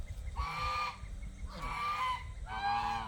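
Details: Penned domestic geese at feeding and water-changing time: three loud, nasal honks, roughly one each second, each held for about half a second with a slight downward bend.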